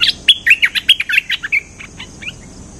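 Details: Cream-vented bulbul song for luring: a burst of sharp, quick chirps and whistled notes in the first second and a half, trailing off into a few softer scattered chips.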